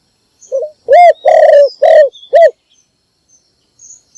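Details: Morning call of a spotted dove kept as a decoy to call in other doves: a short lead note and four resonant coos, the second longer and grainy, then faint high chirps.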